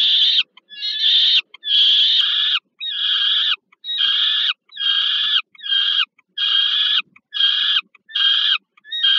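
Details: Peregrine falcons at a Warsaw nest site, Termika Żerań, Poland, 15 August 2022, during food delivery to the young: two long grating screams open a regular string of shorter, hoarse screeches about a second apart.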